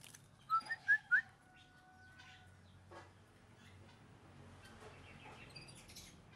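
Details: A pet plaintive cuckoo being kept and fed crickets gives four quick, thin, rising whistled notes in about a second; faint clicks and soft high chirps follow in a quiet room.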